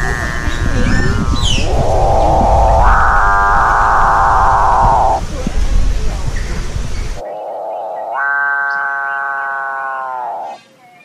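A Capuchinbird gives two drawn-out calls, each a grinding, rattling build-up swelling into a long, low, cow-like moo. A steady low rumble underlies the first.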